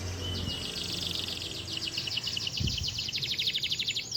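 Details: Canary delivering its original long master song with no other birds' phrases mixed in: a thin high whistle leading into a rapid, even rattling trill that speeds up toward the end, with low background hum.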